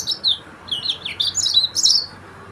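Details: Short phrase of Yellow-fronted canary song, known locally as the Sudan finch of Mozambique: high whistled slurs and chirps strung together quickly, ending in a slightly louder flourish.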